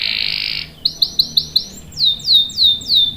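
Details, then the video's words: Canary in a long rolling song for luring and tutoring young birds. A harsh buzzy burst opens, followed by five sharp clicking notes and then five slower, louder downward-sweeping whistled chirps. "KENARI GACOR NGEROL panjang bagus untuk PANCINGAN dan MASTERAN paud | CANARY SINGING"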